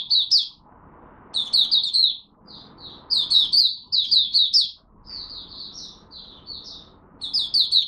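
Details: Oriental white-eye from Malaysia, a hobby bird warming up at the start of its day, 1 August 2023, delivering bursts of sharp high twittering notes separated by short pauses over a soft low background hum.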